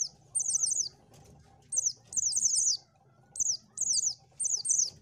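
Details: Oriental white-eye song used to lure birds: quick runs of three or four thin, high, falling notes, broken by short pauses, over a faint low hum.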